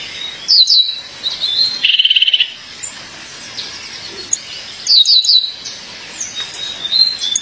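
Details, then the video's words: Female violaceous euphonia calling to her mate, opening with high slurred notes, then a rapid buzzy trill near two seconds and another cluster of sharp descending notes around five seconds. "Fêmea de Guriatã, chamado seu parceiro."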